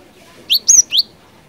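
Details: Three quick, loud Cinereous tit notes, each an upward-sweeping whistle, from a gacor ngerol ngeplong song used as a lure; quiet background.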